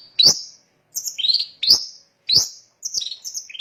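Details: Long-tailed shrike song used to provoke other shrikes into singing: short harsh chattering phrases, each a sharp downslurred note followed by scratchy high trills, given in five bursts separated by brief pauses.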